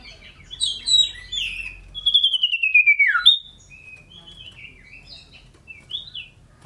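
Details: Scarlet-headed flowerpecker (cito sirdum) in lively loud song while hopping about; high chirps lead into a rapid buzzy trill sliding down, then a string of short twittering notes.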